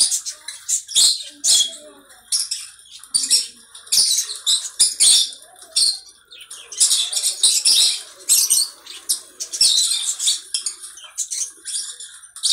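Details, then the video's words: Harsh, grating conure screeches come in irregular clusters, some short and clipped, others drawn out for over a second, with softer chattering between bursts. "Conure bird"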